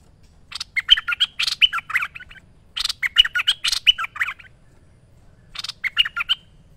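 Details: Merbah lekir bulbul singing in a master training recording: three lively phrases of rapid bubbly, slurred whistles and scratchy chips, each lasting one to two seconds with short pauses between.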